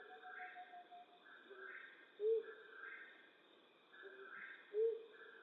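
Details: A flammulated owl at night in western North America gives two brief, low, muffled hoots about two and a half seconds apart, amid repeated higher buzzy pulses and steady background hum.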